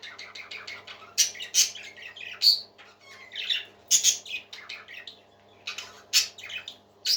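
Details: Pet parakeets chirping happily, a run of quick twittering notes broken by loud sharp squawks and a brief whistled slide, with a faint hum underneath.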